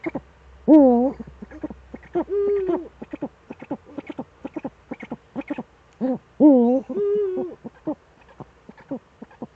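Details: Eurasian eagle-owls, Eifel, evening of 11 March 2013 with both owls back: two pairs of bent, wailing calls each followed by a flatter drawn note, separated by quick irregular clipped notes and ticks.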